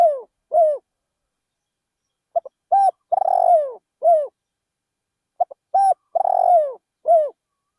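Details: Decoy spotted dove calling in a rice field, used to lure wild doves; two full coo phrases, each two short clicks, a cooing note, a long tremulous descending coo and a final coo, roughly three seconds apart, no other sounds.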